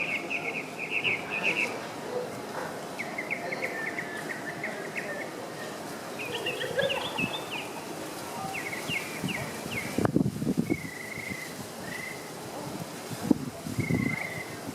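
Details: Tropical mockingbird singing near Tulum, Quintana Roo, Mexico, in November 2014: varied short chirpy and trilled phrases, some rising, some falling, repeated with brief pauses over steady background noise, with a few low thumps near the end.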